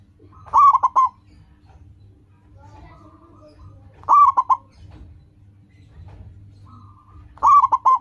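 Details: Local zebra dove (perkutut) singing loudly to call rivals and to train other perkutut to sing. Three cooing phrases, each a long note and then a quick run of short notes, repeat about every three and a half seconds over a low hum.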